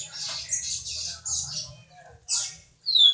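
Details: Double-collared seedeater from Jordânia, Minas Gerais, singing the viviti song type: high, fizzy trilled bursts broken by short pauses, ending in a clear descending whistle, with a faint low rumble beneath.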